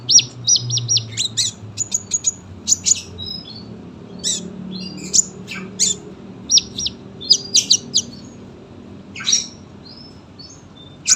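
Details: Singing sunbird, a long-song recording meant for training young birds: clusters of high thin chirps and short whistled notes with brief gaps, plus a quiet low background hum.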